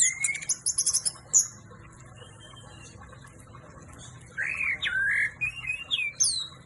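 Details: Orange-headed thrush (anis merah) giving a fast high twitter, then a pause, then a series of rising and falling whistled slurs, with a steady low hum in the background.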